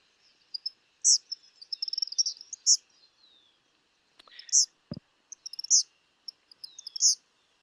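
Eastern Kingbird giving high, sputtery, electric notes in quick bursts that end in buzzy zeer phrases, repeated several times; a single sharp click in the middle.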